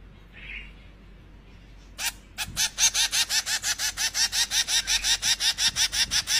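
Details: Zebra finch chicks being hand-fed beg with rapid, raspy, buzzy calls, about three each second.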